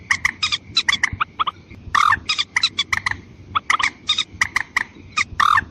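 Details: Harsh, clipped croaks of a white-breasted waterhen, used as a lure for both sexes, repeated quickly and almost evenly throughout, with a faint constant high whine underneath.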